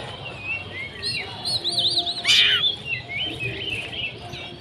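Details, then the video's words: Oriental magpie-robin in konslet mode: a mix of wavering high whistles and warbled loops with one harsh scratchy burst in the middle, over background noise. "kacer macet auto konslet"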